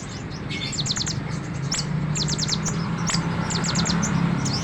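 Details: Sunbird song used as a model for training other songbirds: bursts of very high, quick descending chirps in rapid runs of three to five, mixed with thin whistled notes, over a steady low hum.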